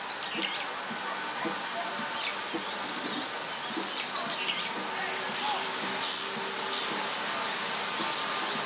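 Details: On 19 May 2013 a Japanese pygmy woodpecker pair circles and inspects an apparent old nest, calling; quiet scratchy notes early, then four loud buzzy high bursts in the last few seconds, each under a second long.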